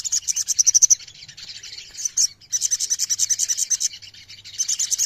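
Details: Myzornis chorus for ombyokan therapy: rapid high chirping trills, a one-second burst, a short gap with scattered notes, then a longer run of pulsed chirps.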